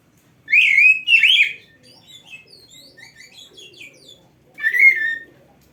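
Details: Oriental magpie-robin, a kept bird whose song is used as a training tutor; two loud harsh rising whistled notes, a soft scattered chatter of high notes, then another strong slurred whistle.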